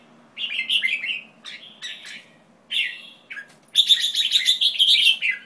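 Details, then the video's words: White-tailed jambul producing clusters of scratchy falling notes, pauses, then a loud, fast, continuous chattering run of ringing, nasal notes. "White-Tailed Jambul"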